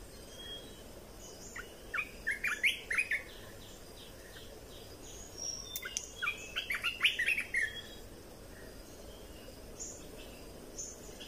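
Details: Cage-bird red-whiskered bulbul singing, a recording meant for tutoring chicks and stirring up birds: two clusters of chirpy, whistled phrases separated by a quiet stretch, with a low constant hum underneath.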